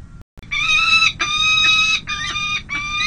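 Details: Peregrine falcon at the San José City Hall nest, 5 May 2022, while two small chicks receive their first hard feeding: four loud, drawn-out, strained wailing notes, each under a second long, following one another with barely a pause.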